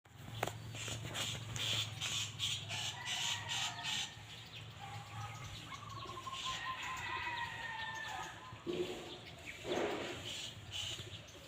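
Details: A bird sings a run of clear whistled notes, some drawn out and level, others short and slightly rising, over a low steady hum and faint rustling.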